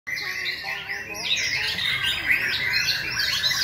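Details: White-rumped shama singing at a singing competition in May 2020, during the breeding season: dense, rich whistled phrases with rapid slurred notes rising and falling, overlapping with more sharp chirps from nearby birds.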